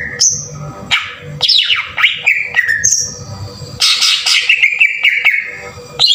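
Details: Green leafbird lure song in the rough tembakan kasar style, meant to excite other leafbirds into full song. High piercing whistles alternate with steep downward slurs and a dense, noisy chattering burst. A faint hum runs throughout.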